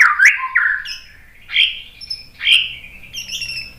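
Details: White-rumped shama song meant to goad other birds into singing: loud slurred squawky notes spaced about a second apart, each rising then falling, with faint high whistles between.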